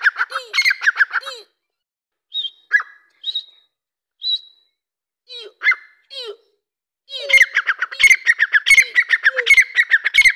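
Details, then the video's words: Young Irani teetar chicks and a Dakkni teetar partridge: scattered short squeaky notes and soft downslurred whistles separated by pauses, then a long fast run of harsh chattering calls. "Dakkni Teetar ki Awaz"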